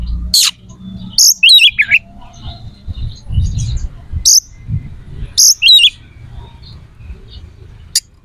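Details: White-rumped shama, a singing bird kept to stir aggression and breeding drive in other shamas, giving sharp high whistled phrases and buzzy notes in short bursts separated by pauses, with low background rumble.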